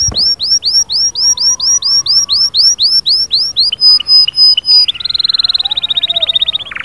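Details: Lively canary singing to stimulate another canary: a string of arched whistled notes repeated about four per second, a brief pause of thin high tones, then a rapid rattling trill.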